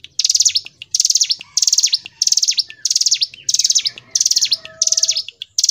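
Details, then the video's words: Hill prinia (ciblek gunung) singing steadily in the energetic nonstop style called gacor ngebren: short, bright, buzzy high chattering bursts about every half second, run in tight groups with brief gaps. A faint lower whistle and soft background rumble. "Masteran Ciblek Gunung | CIGUN | GACOR NGEBREN • SUARA BURUNG CIGUN"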